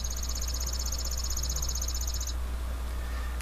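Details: In springtime in Wisconsin, a Chipping Sparrow sings one dry, mechanical trill of rapid, evenly spaced chips, about two seconds long, over a steady low hum.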